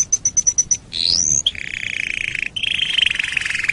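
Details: Canary song used as master recording for training other songbirds: six quick, high, pure notes, then a rising whistled sweep, followed by two long, fast, buzzy rolling trills, the second pitched slightly higher.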